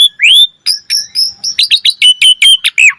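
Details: Asian pied starling in full varied song, played to stimulate other starlings: an upward-sliding whistle followed by a rapid run of about a dozen sharp repeated chirps and short falling notes, high-pitched and clear.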